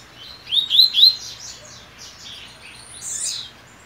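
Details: A double-collared seedeater in its cage before a major singing contest, its mate nesting alongside, opens with three rapid rising notes, then a looser stretch of high twittering and a final slurred note.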